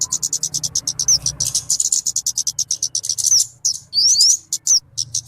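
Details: Talokan, also called kemade, used as a lure and tutor recording: quick series of high clipped chirps with several bright down-slurred and rising whistle notes mixed in, a faint low hum beneath.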